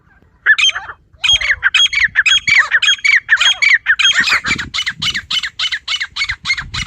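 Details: Female wild partridge calling naturally, a short opening note, then a long rhythmic series of hoarse, scratchy squawks about two per second that grow rougher and denser toward the end.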